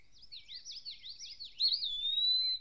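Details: Eastern wood-pewee, a flycatcher of Maine deciduous forest, singing from a high perch: a loud, pure drawn-out whistle entering late, briefly wavering then held steady and slightly falling, after a softer rolling, repeated warbled phrase from another bird.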